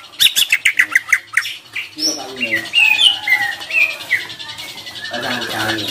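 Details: Greater green leafbird singing loudly, used to provoke less determined leafbirds; a quick series of sharp notes, then clear whistled phrases sliding up and down, fading into a breathy rasp.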